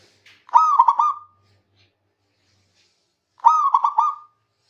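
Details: Zebra dove of a local strain singing to call rivals, two bursts of mellow rolling coos, each opening on a drawn-out note and breaking into rapid pulsed notes, separated by a quiet gap.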